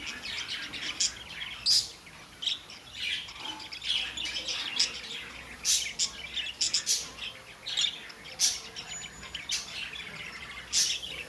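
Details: Pet budgies chattering: a busy jumble of high chirps, sharp clicks and short squawks, uneven in timing and loudness, with a few thin whistled notes.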